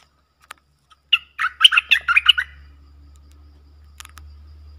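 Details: Streak-eared bulbul, one of a pair fiercely dueling in song, recorded 30 October 2021: a quick burst of bubbly, chattering notes over about one and a half seconds, then quiet with a faint low hum.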